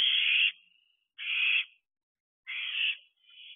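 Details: Barn owl owlets at night in an owl box in late June, around 10:24 pm, give harsh rasping hisses, three loud screeching bursts about half a second long with trailing thinner hiss, spaced over a second apart in silence.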